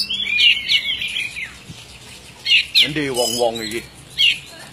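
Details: Oriental magpie-robin (kacer) in lively gacor song: short bursts of bright, twisting whistled phrases separated by quiet gaps, with a lower, harsher buzzy sequence in the middle before a final high whistle.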